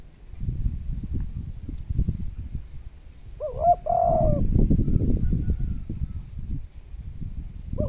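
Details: Spotted dove cooing to stir hard-to-provoke decoy birds into calling: a single mellow, two-part coo mid-clip with another beginning at the end, over heavy low rumbling and thumping noise.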